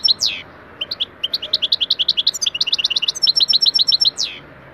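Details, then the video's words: Caged European goldfinch giving a lesson song for pet goldfinches: a descending slurred note opens a quick run of high twittering chirps with tinkling metallic doubled notes, ending on another downward slur. "EFSANE SAKA KUŞU ÖTÜŞÜ iLE MEST EDİYOR"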